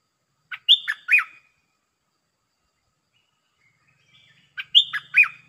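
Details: A caged decoy Red-breasted parakeet calls to lure down a wild resident bird: two identical phrases about four seconds apart, each a short burst of dipping whistled notes after one long high note, with quiet gaps between.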